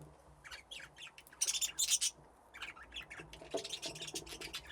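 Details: Budgerigars in an aviary fitted with nesting boxes, playing; the flock has grown from two pairs. Quick bursts of sharp, high chirping and chatter, loudest in a dense cluster near the middle, then scattered lighter chirps.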